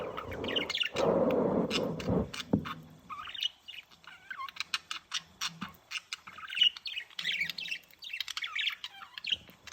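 A male budgerigar warbles a rapid, chattering stream of clicks, squeaks and whistles to court his mate.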